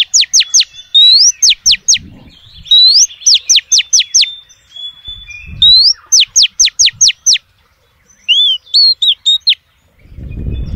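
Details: Female oriental magpie-robin calling males: loud whistled phrases of a rising slur then rapid series of sharp downward-sweeping whistles, repeated several times, ending with softer warbled notes and a low rumbling noise.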